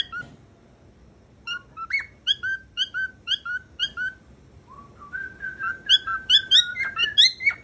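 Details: Cockatiel kept as a pet, said to be able to say its name, giving a string of short clear whistled notes, then a run of longer level whistles with a few rising flourishes.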